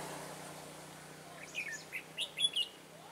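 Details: Red-whiskered bulbul used as a decoy to lure wild birds during trapping, recorded 15 March 2018: short whistled notes begin after a second and a half, then a run of bright clear chirps near the end over a low steady hum.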